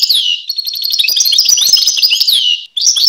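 European goldfinch singing a fast, liquid jumble of bright twittering notes and tinkling trills, with a few sweeping nasal slurs, all high-pitched and continuous.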